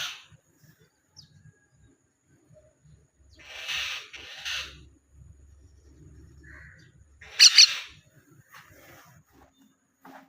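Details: A baby common myna that fell from its nest gives three harsh, hissing begging rasps, two close together and a louder one a few seconds later, over a faint low hum.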